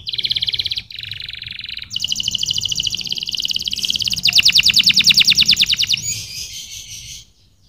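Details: Canary singing a chain of high rolling tours, each phrase a rapid even trill at a different pitch, one loud pulsed section, then fading away.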